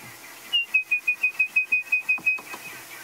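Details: Orange-breasted bush-shrike at sunrise in late summer (2 March 2016), Sabi Sand, Greater Kruger, South Africa: a fast run of about eleven clear, evenly spaced high whistles amid a non-alarm dawn bird party chattering faintly.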